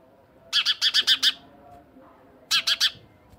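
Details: House sparrow giving loud, sharp chirps in two quick bursts: a run of five rapid chirps, a pause, then three more, over a faint low background hum.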